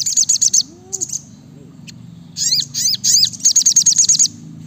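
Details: Rapid, dense singing from an actively calling brown-throated sunbird. Runs of fast high ticks frame a cluster of sweeping downslurred chirps, over a low, steady mechanical drone.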